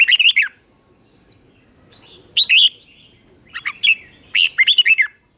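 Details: Red-whiskered bulbul in a cage singing its doubled song for young birds to learn. Short chirpy whistled phrases of three to six notes come every second or so, with quiet gaps between.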